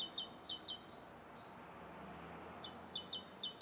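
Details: A Rose-coloured Starling in Bishopston, Bristol, on the morning of 29 November 2014. Sharp high chirps in small bursts, a quiet pause, then more paired chirps at a steady, rapid pace.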